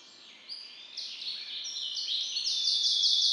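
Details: Song variant IV of a bred hybrid from a white-rumped seedeater father: rolls start softly, then build into loud high trills and steady buzzy tones that change pitch in steps.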